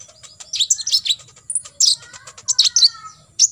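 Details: Tembakan isian from an olive-backed sunbird, locally kolibri ninja, recorded for contest birds to imitate: dense, scratchy high twittering with clustered chirps and thin whistled strands underneath.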